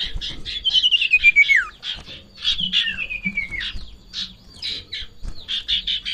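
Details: Golden-bellied gerygone in peak breeding condition, agitated at the sight of a rival or female: long thin whistled runs sliding downward, mixed with rapid buzzy chattering notes. Low thumps can be heard underneath.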